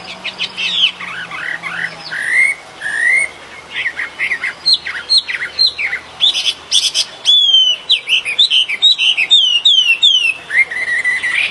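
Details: Birdsong in nature: a lively, varied run of clear whistled phrases, rising and falling slurs and quick chirps, growing busier and higher toward the end, with a soft low hum underneath.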